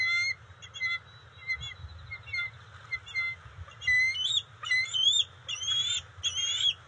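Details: Bald eagles at the NCTC nest, June 27, 2021, the female delivering fish to the young; repeated short whistled notes, steady at first, then rising into louder wavering, upslurred squeals with a faint low hum beneath.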